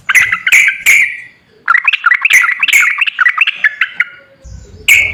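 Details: Sooty-headed bulbul kept to draw song from a silent bird: three loud bright notes, a brief pause, then a lively string of bubbling warbled phrases, ending with more sharp notes over a low rumble.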